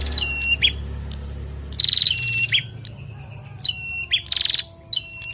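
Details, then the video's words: A male and female bar-winged prinia exchange calls: falling whistled notes, quick chips and two buzzy pulsed trills recur every second or two above a faint low rumble. "Prenjak Jantan dan Betina Sahut-sahutan Gacor"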